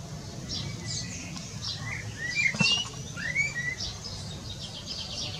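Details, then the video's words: Eurasian blackbird singing its evening song from a rooftop, a second bird answering in the distance; low fluted warbling phrases slide up and down midway, over a dense background of high chirping from other small birds. "Merel zingt zijn avondlied"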